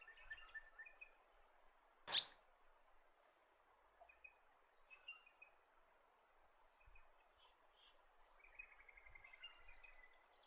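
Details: White-breasted robin from south-western Western Australia, a bird of wetter forest: scattered short high chirps and thin notes, one sharp loud click, ending in a fast descending trill of ticking notes, in an otherwise quiet setting.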